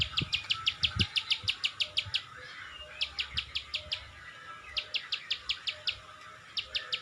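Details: Ciwah, the Plain Prinia, delivering bursts of crisp klik-klik clicks, about three per second, in short runs separated by brief pauses, against quiet background hiss.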